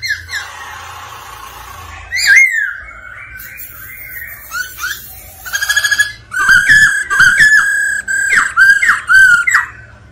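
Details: Singing, displaying black-throated laughingthrush stirred by a female's rolling call: long sustained whistles that dip and waver, then a lively series of loud, clipped, slurred notes.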